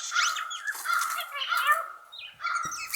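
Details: A Blue Jay called Squawky, near another jay's mate, sings the whisper song and gives an odd, never-before-heard nasal, drawn-out call in several phrases with thin higher squeaks; a viewer suspects it imitates a human voice.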